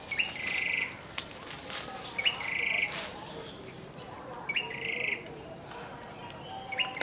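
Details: Grey-backed tailorbird singing, fainter and more spaced: four short buzzy trills with sharp leading notes, separated by gaps of one to two seconds, partly masked by clicks and knocks and a steady insect drone.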